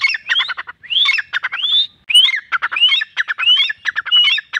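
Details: Captive trained partridge calling under a tree on its owner's whistle: bursts of rapid clicking notes broken by upslurred whistles climbing sharply, coming in uneven groups roughly every half second.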